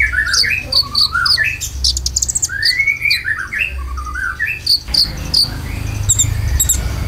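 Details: Konin lure song with filler phrases, used to prompt caged birds. Slurred whistled notes rise and fall in a rapid run, with sharp high chips every half second and a steady low hum.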